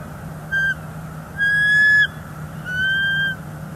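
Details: On a northeast Florida nest in late January 2024, a female bald eagle protests an intruder eagle: one short whistled note, then two longer even-pitched whistles, softer than the surrounding hum of the camera site.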